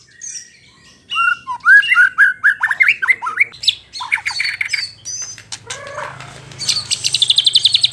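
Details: White-rumped shama, a song to goad rival shamas: after a soft start, a run of rising, bouncy whistled notes and varied phrases, then fast, high rattling notes at the end over a faint hum.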